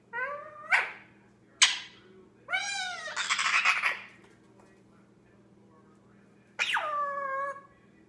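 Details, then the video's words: Pet male Indian ringneck parakeet aged 10 months, recently started talking, plays by himself indoors; short harmonic mumbled syllables, a sharp click, a warbled phrase blending into a raspy noisy stretch, then a drawn-out falling call. "Cute baby parrot entertaining himself by talking and playing"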